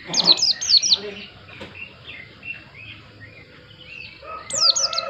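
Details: White-eye singing rapid clusters of high downslurred whistles at the start and end, with softer, lower warbled notes in between and faint background murmur.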